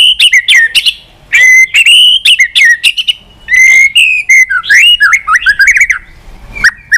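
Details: White-rumped shama singing to stir up another bird: a loud, fast stream of varied whistled phrases, sliding notes and sharp clicks, with short silent breaks between bursts.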